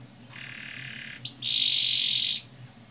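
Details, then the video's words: Canary song used as a lure to get young canaries singing, with long rolls: a faint note, then a steady buzzy trill held for about a second, then a louder, brighter rolled trill lasting another second. "Pancingan kenari paud ngeroll panjang, agar cepat ngeriwik dan gacor"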